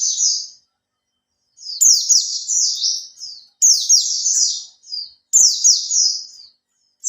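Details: Caged Oriental white-eye, three months kept and learning to open its tail, delivers lure song: energetic high-pitched twittering bursts about every one and a half seconds, each cascading downward in quick notes.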